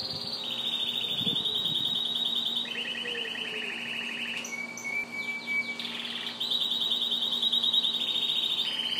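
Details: Yellow canary with its chicks, singing a sustained rapid trill in long, even bursts that step between higher and lower pitches, with a brief sharp whistled phrase midway, over a steady low indoor hum.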